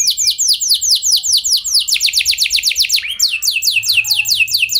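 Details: Singing canary meant to prompt others into long rolling song: rapid series of downward-sweeping notes repeated in quick trills, briefly shifting to a lower slurred note before another fast trill.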